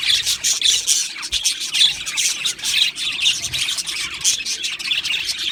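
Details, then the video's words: Australian budgies in an aviary colony, many squawking and chirping together in quick scratchy bursts with short whistled notes, forming a steady busy chorus. "Australian parrot Chirping Sounds | Australian Budgies Parrot Singing Video"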